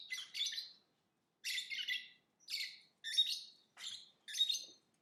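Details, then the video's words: Lovebird chattering in six rasping, high chirp bursts over five seconds, some phrases doubled, with short quiet gaps between them and no background sounds. "Lovebird Singing & Chirping Sounds"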